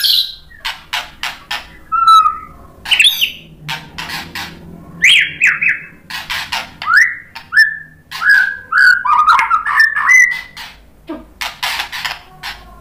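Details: Song of a white-rumped shama meant to stir rival shamas to reply: scattered sharp clicks, then clear whistled notes and slurred phrases building into a fast, varied run of whistles and chatter near the end.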